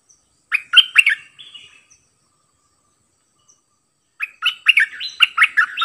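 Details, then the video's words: Decoy bulbul, caged, singing many songs: a short burst of sweet warbled whistles, a long silence, then a longer lively string of rich fluting notes rising and dipping quickly. "เสียงต่อนกดอกแตงEp.50นกต่อ เจ้าแบงค์ เปิดดอกเพลงเบิ้ล!!ร้องหลายเพลงSuara merbah lekir gacorbahanan"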